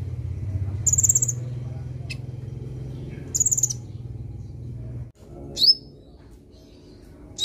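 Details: Sunbird song used for training a young bird to sing: brief, very high trilled bursts and a sharp rising note, separated by pauses, over a steady low electrical-sounding hum.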